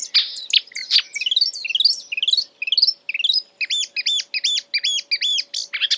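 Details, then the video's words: Imitating other birds, a marsh warbler pours out quick mixed phrases: scratchy notes, rapid rising chirp series, then a run of paired sharp notes repeated about twice a second, over a faint constant hum. "A marsh warbler (Acrocephalus palustris) imitating other birds"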